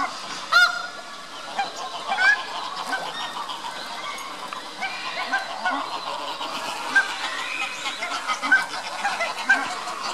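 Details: Lesser white-fronted goose at Tama Zoo, Japan, in late November (24 Nov 2015), gives high, squeaky yelps at irregular intervals over steady background noise, with northern pintails and other waterfowl calling faintly.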